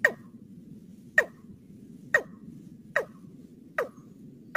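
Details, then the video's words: Watercock call played as a bird-trapping lure: sharp, dry, clicking notes that drop quickly in pitch, repeated about once a second, with a low hum underneath. "suara pikat burung ayam-ayaman sawah || watercock gallicrex cinerea || ayam-ayaman sawah"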